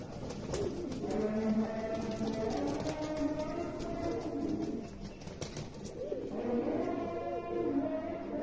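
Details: Several American fantail pigeons from six pairs coo together in low, throaty, rolling notes, with soft clicks and rustling around them.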